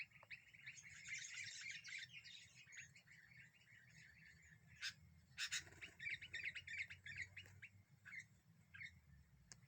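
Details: Sooty-headed bulbul singing as a lure that is said to stir up other birds; busy bursts of short chirped and whistled notes, with hissy higher chatter early on, a few sharp clicks midway and a steady low rumble underneath.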